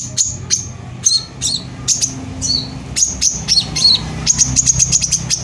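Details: Excited brown-throated sunbird pouring out rapid 'tembakan rapat' bursts, meant to rouse rival sunbirds into song: thin high whistles and clicks in quick clusters, speeding into a rattling series at the end, over a faint low hum.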